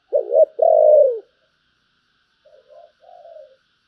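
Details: Spotted dove with a giọng thổ voice, described as deep and pleasant, gives a loud low two-note coo, a quavering start then a long falling tone, followed after a pause by three soft, quieter coos.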